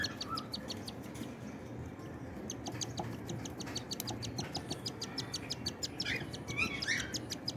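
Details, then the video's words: Cockatiel parents feeding their chicks: rapid, raspy ticking pulses repeat about three times a second throughout, with a few brief higher chirps and a steady low background hum. "Rare video of cocktail feeding their chicks"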